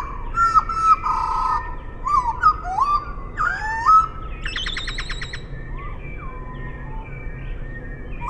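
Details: Eurasian blackbird song at half speed: low, rich whistled phrases with sliding notes in the first half, then a rapid rattling series of pulses, followed by softer, descending fluted notes.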